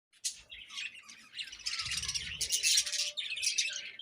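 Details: Several budgies chirping in the morning: a dense, continuous chatter of high, scratchy twitters and warbles that builds in loudness after the first second, with brief soft low thumps underneath.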